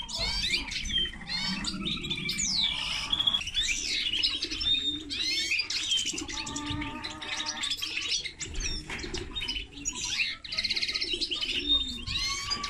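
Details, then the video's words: Common linnet x canary hybrid singing a long varied twitter, mixing sharp chirps, rattling trills and sliding whistled notes in quick succession, with a steady low rumble underneath. "Mixto de pardillo y canaria - هجين طائر التفاحي مع الكنار"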